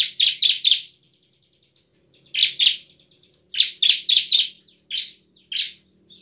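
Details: Bar-winged prinia in full emotional song, ngebren and nembak style, a lure for reluctant singers; rapid triplets of strident chirps separated by thin, faint ticking notes.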